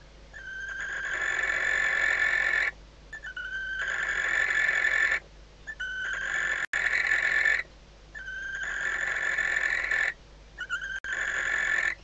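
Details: Nesting female barn owl calling to her mate at night inside a nest box at Riet Vell Nature Reserve, Ebro Delta, days before hatching. Four drawn-out, hoarse, hissing screeches, each lasting two to three seconds, with short gaps between them.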